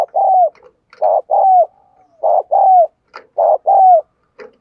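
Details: Decoy spotted dove cooing hard to spur other doves into calling. Loud, low, hollow coos come in groups of two or three, each ending in a long downward-sliding note. Bursts repeat about every second with short silent gaps.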